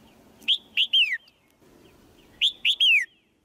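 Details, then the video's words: Caged female white-eye calling to stimulate a male: two phrases of three loud notes each, the last a longer downward-sliding whistle, about two seconds apart. "เสียงนกตัวเมียร้องเจี๊ยก ๆ ในกรง กระตุ้นให้นกตัวผู้ร้องแรงขึ้น"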